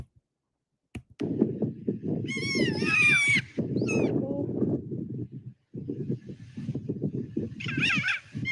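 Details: Kea, New Zealand's alpine parrot, giving its laughter-like play warble while in a playful mood on a sunny day with fresh snow: bursts of bright, wavering warbled notes, strongest mid-clip and again near the end, over a low rumbling background.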